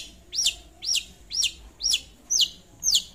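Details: Lure song of a long-tailed shrike calling a rival, six sharp high notes swooping up and down, evenly spaced about every half second, strong and clear over faint background hiss.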